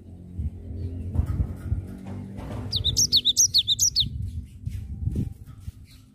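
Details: Lively song of a cinereous tit: a brief burst of piercing, repeated falling notes over steady low-pitched background noise and faint thuds.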